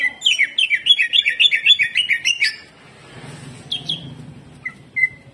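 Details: Quick repeated zigzag chirps from a greater green leafbird, 'tembakan kasar' hyper style, run for two and a half seconds, then quiet with a few scattered single whistles.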